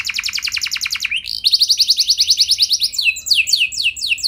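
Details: Canary song for provoking other canaries to answer, a long roll: a fast dry trill, a brief upward slur, a steady rolling high trill, then loud falling whistled notes.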